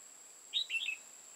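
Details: Decoy red-whiskered bulbul used to trap wild birds in Hoa Binh, Vietnam, singing one crisp phrase of about four liquid warbled notes, the opening note highest; faint hiss and a thin constant whine behind.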